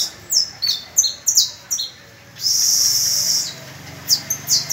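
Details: Canary singing alongside practising pupil birds on the first of May: clusters of bright, sharply falling whistled notes, a long loud high roll, then softer scattered chips.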